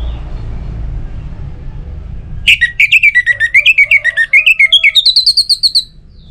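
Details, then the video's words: Orange-headed thrush song meant to encourage other birds to sing: after a few seconds of low hum, a quick series of bright whistled notes dips then climbs steadily higher, about four notes each second. "ANIS MERAH Untuk Suara Pancingan Burung Agar Rajin Bunyi Ngeplong Pagi sampai Sore Hari"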